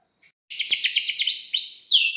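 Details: Atlantic canary kenari song used to tutor young birds: after silence, a rapid series of chipping downswept notes, then a sustained high whistle and rising slurred notes.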